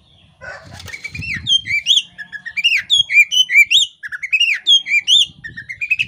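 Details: In breeding condition and fanning her tail, a female Oriental magpie-robin (kacer poci) pours out quick, curling whistled notes and chirps in steady succession, with soft low rustling at the start.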